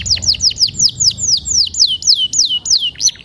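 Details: Canary singing: a loud, fast series of high downward-sweeping whistled notes, about three per second, steady and repeated throughout.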